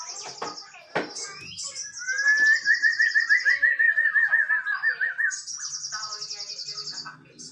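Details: Male white-rumped shama song with sharp clicks, then a long rapid trill wavering up and down for about three seconds, followed by a high buzzy rattle; a faint low hum underneath.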